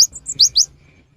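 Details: Cinereous tit song used as a lure in the rainy season: a short burst of high, sharp rising whistles, three loud notes within half a second, then quiet.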